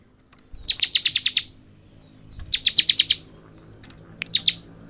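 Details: Bar-winged prinia in ngebren song: two bursts of about seven rapid, high, metallic chips roughly two seconds apart, then a short two-note phrase.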